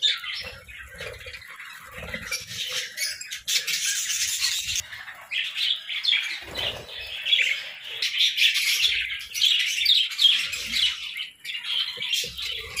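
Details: Morning chatter of parakeets, a busy overlapping warble of high scratchy chirps and squawks that swells and dips in bursts, with occasional soft low knocks.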